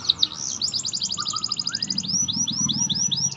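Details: Atlantic canary song played to lure a quiet canary into singing: a rapid high buzzy trill of fast repeated notes, then a run of quick slurred notes rising and falling, over a faint low hum.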